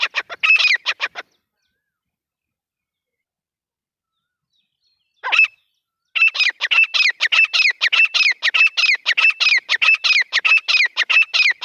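Grey francolin calling in loud, harsh, rhythmic notes, repeated rapidly about every half-second in a long series after a brief pause.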